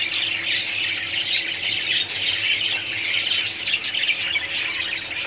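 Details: Budgerigars in a colony: a dense, continuous wash of overlapping chirps, squawks and warbles from many birds, steady in loudness throughout, with a faint low hum underneath.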